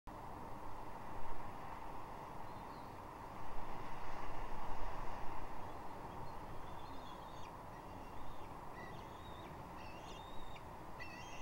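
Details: Bald eagle chick calling and a parent answering at Two Harbors on 27 June 2021: thin, high chirps and short whistled notes cluster in the last five seconds, over a steady low rumble and hiss.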